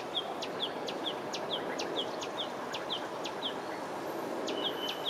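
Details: Yellow-vented bulbul calling in Phnom Penh, Cambodia: short, high, slurred chirps about twice a second, with sharp ticks between them, over a steady hiss of city noise.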